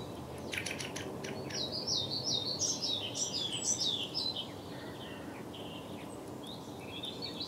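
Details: Bird chirping in the morning at the top of a pine tree: a burst of high, thin chirps and quick twittering notes, some sliding up and down, fading to sparse peeps over steady low rumbling background noise.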